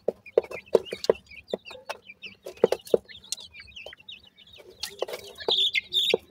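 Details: Grey francolin chicks at the nest while feeding: soft, high chirps and squeaky twitters come in quick overlapping runs, mixed with loud dry knocks and clicks, denser and louder toward the end.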